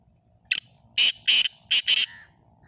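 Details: Black francolin singing: a short harsh opening note, then four loud, rasping, grating bursts in quick succession over about one and a half seconds, with a quiet background.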